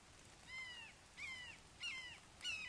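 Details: At a red-shouldered hawk nest in Wake Forest on 29 May 2023, 08:38, a father brings a frog to a fledgling. Four harmonic downslurred cries repeat roughly every 0.6 seconds over light background hiss.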